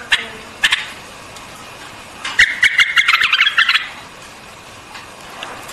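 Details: White-eared bulbul giving a rapid run of bright chattering notes lasting over a second, preceded by a few isolated sharp clicks, with faint hiss behind.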